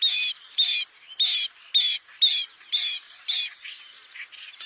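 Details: A bronze-winged jacana (Metopidius indicus) gives seven harsh, wheezy notes at a steady pace, about two per second, followed by softer scratchy notes.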